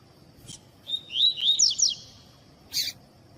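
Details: Tui-tui style song of a Double-collared seedeater, used as a tutor recording to train and warm up captive tournament birds: high whistled notes running into fast downward-slurred notes, followed by a sharp noisy click.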